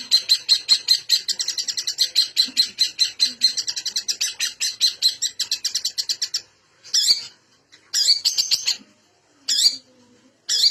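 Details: Long-tailed shrike (cendet) in full, varied song, used as a lure to prompt silent or lazy birds to sing: rapid buzzy chattering phrases repeated for six seconds, then harsh scratchy bursts separated by pauses.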